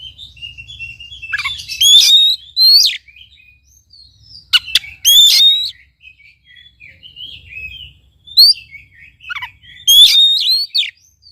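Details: Oriental magpie-robin song for provoking a quiet bird to sing: loud rising whistled phrases with rattling harmonics repeated three times, interspersed with softer scattered whistles and sharp clicks.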